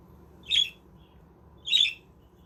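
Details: Captive budgerigars in a homemade aviary village give two short, harsh, raspy squawks about a second apart over a steady low indoor hum.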